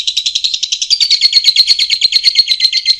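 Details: Lovebird call for training birds to respond quickly: a fast, even series of sharp, squeaky high chirps, several per second, with no other sounds.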